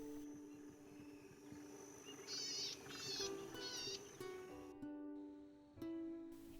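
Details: Male Golden-headed Cisticola in breeding plumage, calling from reeds along wetland levees at Tolderol Game Reserve, South Australia, on a hot summer's day: three short, high, buzzy rasps about half a second apart, over steady background music.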